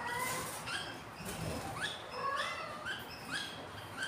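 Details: Newly hatched budgerigar chicks, day four, hungry, in a breeding setup with eight eggs; soft upswept peeps repeat roughly every half second, each rising and slightly harmonic, over a faint hiss.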